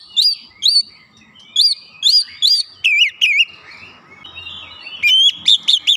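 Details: Oriental magpie-robin roused by a lure recording: evenly spaced rising whistles, then a run of lower looping notes, a soft mid-range hiss, and a final cluster of quick high whistles.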